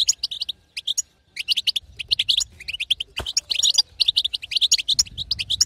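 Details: Rapid high twittering of a female European goldfinch, batbata meant to make a silent male sing; chirps in clustered runs with brief pauses, one louder tumbled burst.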